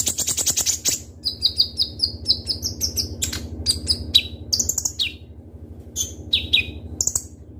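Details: Kolibri ninja sunbird, a kept bird singing fast: a rattle, then a rapid series of high, downslurred whistles rising slightly in pitch, followed by scattered sharp chirps over a low hum.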